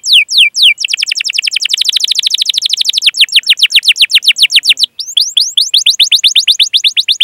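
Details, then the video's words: Lively canary song used as bait to train young canaries: a few sharp swooping notes, then a long, very rapid trill of descending whistles, a short break, and another quick run of down-slurred notes. "Masteran Suara Burung Kenari Gacor Panjang cuit cuit Ngerol untuk Pancingan Kenari!"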